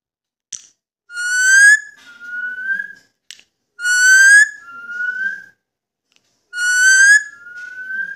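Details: Pet Indian ringneck parakeet trading whistles with its owner: three repeated phrases about every three seconds, each a loud buzzy-rich whistle followed by a softer, purer level whistle, with a faint click before each.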